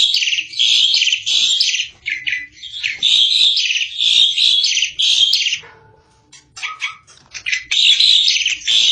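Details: Asian pied starling singing vigorously in a 2022 tutor recording for training birds. Long, harsh, buzzy phrases alternate with a few lower whistles and quieter notes midway. Loud rasping song then resumes.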